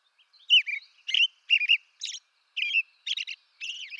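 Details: An American robin from eastern North America sings clear, slurred whistled phrases in pairs and triplets, about one phrase every half second, slightly burry, with short silent gaps.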